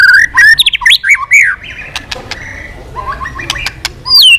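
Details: White-rumped shama in intense full song, tail beating, switching voices: a rapid burst of rich rising and falling whistles, then sharp clicks and a quieter stretch, ending with a loud downslurred whistle.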